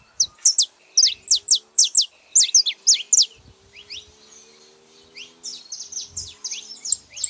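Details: A male and female saffron finch: loud, sharp, downward chirps repeated in a fast series for about three seconds, then softer, rising chirps.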